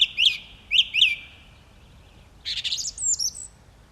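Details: Song thrush delivering a crisp whistled phrase three times in quick succession, then switching to a scratchier, rapid twittering phrase ending in high thin whistles. Low background hum.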